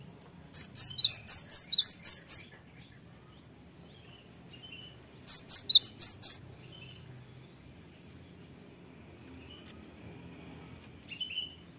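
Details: Cinereous Tit song played as a lure recording to provoke other birds into answering: two bursts of rapid, high, sharp chirped notes, each lasting one to two seconds and separated by a few seconds of near silence with faint background sounds.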